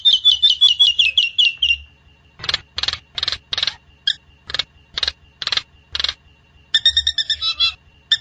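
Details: Nias hill myna song, used as a training or lure recording: a quick run of sharp, high notes, then loud, clipped bursts repeated roughly every half second, ending in a rattling chatter, with a faint steady tone behind.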